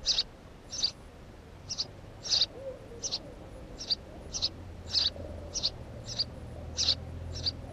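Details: Chirping house sparrow at a nest site: a dozen or so short, high chirps in irregular rhythm, with a faint low hum and a soft sliding tone in the background.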